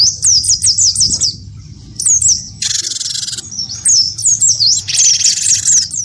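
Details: Great tit known locally as gelatik batu wingko, singing eagerly when provoked by a white-eye; quick repeated high whistled notes in phrases, with two blocks of hissing, buzzy chatter between them.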